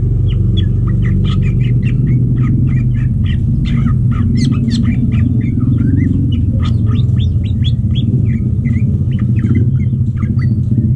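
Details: Mating greater green leafbird in a breeding setup: dense, fast chatter of sharp chirps and short rising whistles, with clicky bursts midway, all over a continuous deep mechanical drone.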